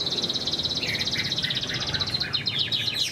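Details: Moulting caged Chinese hwamei, large and fine-looking, singing high: rapid repeated bright notes at about four per second, forming a ringing trill, with lower whistles woven in and quick slurred notes at the end.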